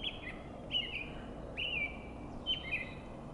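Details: On a foggy spring morning a robin sings four short whistled phrases, each a quick bright burst sliding into a slurred tail, spaced under a second apart, against constant low background noise.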